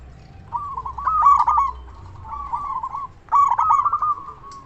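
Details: A loud local zebra dove coos, recorded as a lure to provoke other doves into answering and raise their breeding urge. Two and a half trilled, soft phrases with emphatic notes, separated by quiet pauses and faint low hum.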